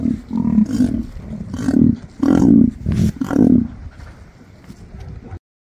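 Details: Emu, the Australian bird, giving a series of low booming, rumbling pulses near 200–300 with bursts of harsher noise, about five notes over five seconds, then silence.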